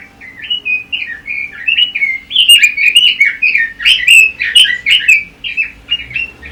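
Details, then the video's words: Pekin robin song used for training competition birds: a long, fast stream of bright warbling notes, short slurred whistles tumbling one after another with brief gaps, growing louder and busier midway. "Kicau Burung ROBIN"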